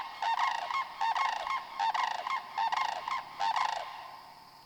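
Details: Six sandhill cranes flying in to land after sunset at a wetland in Glen Hills, St. Croix County, Wisconsin, give loud, rolling, trumpeting rattles, several calling over one another about once a second.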